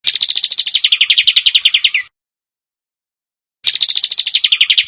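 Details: Harsh, sharp bird song meant for teaching contest birds: a fast series of clipped, pulsing notes that slide downward in pitch over two seconds, a pause of about one and a half seconds, then the same falling series again.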